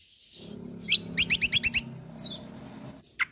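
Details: White-eye called kecial kombok, from Lombok, in a songbird training recording. A short, quick series of about six sharp, bright chirps follows a faint high whistle, then a lone downslurred note, over a soft low hum.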